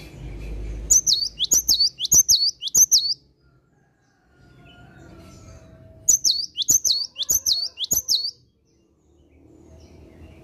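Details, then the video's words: Cinereous tit in vigorous morning song: a run of four fast high two-note whistles, a pause of about three seconds, then another run of four identical phrases, over faint low noise. "Kicauan Gelatik Batu Gacor Dipagi Hari"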